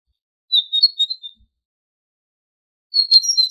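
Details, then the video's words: Tit song from a tutoring recording for goldfinches: a quick series of high, thin whistled notes wavering up and down for under a second, silence, then another bright phrase starts at the end; clean background. "تغريد طائر الحداد ( القرقف) شريط تسميع الحسونChant de la Mésange"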